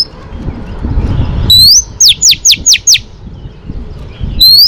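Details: Female Oriental magpie-robin song meant to fire up males for training: a loud rising whistle, then five evenly spaced, sharply falling whistled notes, another rising whistle opening at the close, with low rumble underneath.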